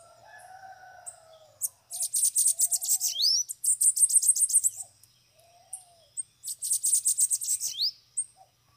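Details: Bananaquits, several free birds come to a cage, deliver two long high buzzy trilled phrases ending in upward sweeps, with soft low whistled notes between them.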